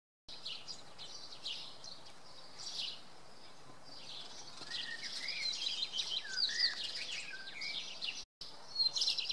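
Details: A common redstart sings at dawn on a Monday in Oksywie: short, high twittering phrases with a few lower, sliding whistles, repeated quickly against a busy background of other small birds.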